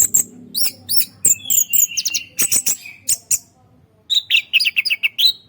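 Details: Orange-headed thrush used as a lure bird delivers rapid chirps and clipped high whistles in uneven bursts, then a quick string of descending whistled notes, over a faint low background hum.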